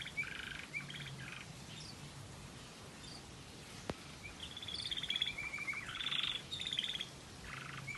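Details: Variegated red factor canary giving its waterslager melody: scattered soft trill bursts early, then after a pause a denser stretch of fast, rattling and bubbling rolls, with light background noise.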